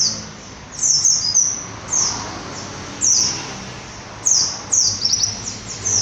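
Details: White-eye giving short, very high, sharp chirped phrases, each a quick downward flick, in bursts roughly every one to two seconds over faint background noise.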